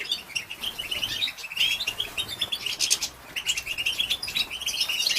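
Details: Female European goldfinch batbata, a call to excite male goldfinches: a fast stream of thin, liquid chirps and buzzy twitters with short lulls around 1.5 and 3.2 seconds.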